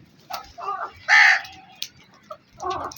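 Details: Black crow with one loud, hoarse caw near the start, framed by softer, shorter croaking calls before and after.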